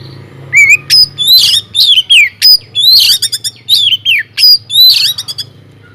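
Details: Caged white-rumped shama, kept in an aviary, singing loudly and persistently as a lure to get other birds to sing: rapid varied phrases of clear whistles, sharp upslurred notes and quick rattling trills, high-pitched, packed into bursts with brief gaps; faint low hum behind.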